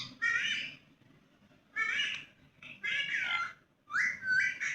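A ringneck parrot gives four harsh, raspy squawks with a nasal, buzzy edge, each under a second, spaced about a second apart, over faint background hum.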